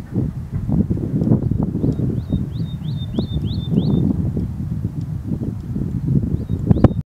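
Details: Woodlark, among the first returned birds in vineyards in Luxembourg, singing a faint run of short, high, downward-slurred notes repeated in quick succession, half-buried under loud low rumbling wind or traffic noise.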